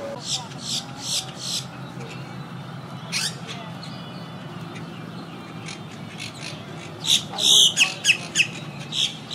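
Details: Quaker parakeets in a wild colony near a yacht club, high in the treetops; rapid runs of raspy squawks, sparse at first then a dense, loud cluster of calls near the end, with a low rumbling background.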